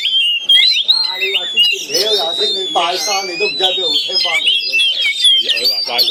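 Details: Two caged Oriental magpie-robins in a cage-to-cage fight, Chinese cage; bright, rapid whistled phrases with long sliding notes, partly masked by loud nearby human speech.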